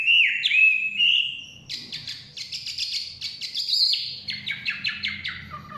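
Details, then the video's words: Chinese hwamei in the forest sings long clear whistles, then a quick series of sharp, bright notes, ending in a falling string of short repeated chips, against a soft low background rumble. "Nikmatnya kicauan wambi/huamei hutan.."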